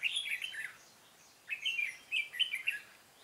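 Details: Red-whiskered bulbul fighting song used as decoy in trapping, recorded 13 March 2017; a short bubbly warbled phrase, a second's pause, then several rapid rising and falling chirpy notes.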